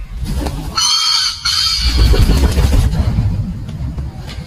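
A male common pheasant gives a loud, harsh, two-part crowing call lasting about a second, over steady low wind or traffic rumble.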